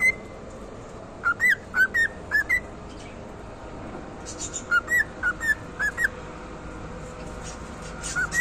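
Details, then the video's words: A cockatiel gives two quieter runs of five or six slurred whistles, with broad hiss and room noise throughout. "canto de ninfa"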